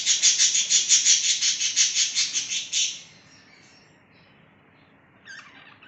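A budgerigar gives a quick run of high, scratchy chirps, then falls quiet.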